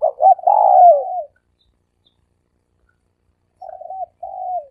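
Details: Dove decoy call: one loud phrase of two short notes and a long descending coo, then after a pause two softer, level, drawn-out coos.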